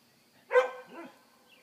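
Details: Young Leghorn rooster, hatched around Easter, trying to learn to crow: one short, rough, hoarse burst with a strained, uneven tone fading after about half a second, then quiet.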